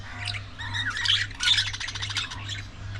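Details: Budgies giving harsh, scratchy squawks and chirps in rapid, uneven bursts, the loudest around the middle and near one and a half seconds, over a steady low electrical hum.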